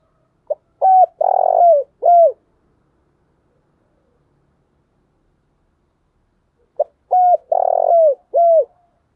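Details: Thúc bổi calling by a caged decoy spotted dove, Vietnam: a crisp pip then three deep coos, the middle one long and rolling, repeated after about six seconds of silence.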